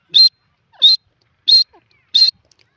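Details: Male grey francolin uttering four loud, high, short piercing notes, each evenly spaced roughly two thirds of a second apart, with silence between them.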